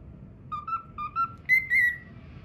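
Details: Pet cockatiel whistling part of the learned Pythagora Switch theme: four short clear whistles, two lower then two higher and drawn out, over soft room noise.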